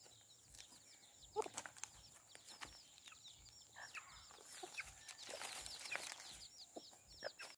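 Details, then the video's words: Baby chicks beside their protective mother hen give many short descending peeps, overlapping in busy clusters. Scratching and rustling noises and a brief louder low note near one and a half seconds are also heard. "Chicks chirping sounds"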